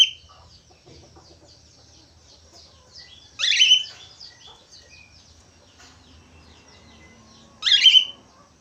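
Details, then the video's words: A chatty budgerigar lets out two loud scratchy squawks several seconds apart over faint, thin chirping and quiet twittering. "SUARA SIULAN BURUNG PARKIT AUSTRALI / FALK AUSTRALI GACOR"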